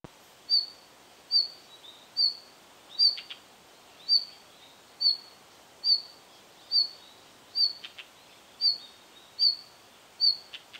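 A red-flanked bluetail gives a short, high, thin note about every second, steady and repeated, with a soft background hiss.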